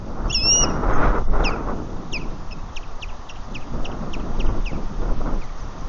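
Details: Nesting female osprey on a camera-watched nest at Lake Murray, 2:20pm on 3 March 2020, alerting as other ospreys fly overhead: a clear whistled chirp, then a series of short sharp rising chirps repeated roughly twice a second, over wind rumble.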